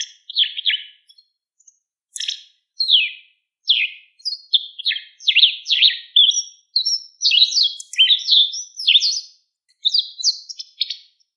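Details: White wagtail, a wild bird, giving a long sequence of sharp chirps, each slurring downward, at first spaced out and then run closely together in a lively twitter, with a quiet background.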